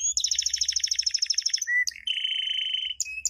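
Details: Canary champion song used to train chicks: a rapid pulsed trill lasting over a second, a low brief note, then a steady level buzzy roll and a high whistle.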